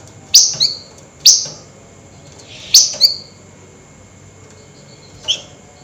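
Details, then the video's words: At night, a flameback delivers agitated nyerecet calls, harsh double notes, each a rasping burst followed by a shorter squeak. The notes come irregularly, about four in six seconds, with a fainter note near the end. "Tembakan Burung FLAMBOYAN GACOR Nyerecet Emosi Tinggi DiMalam Hari"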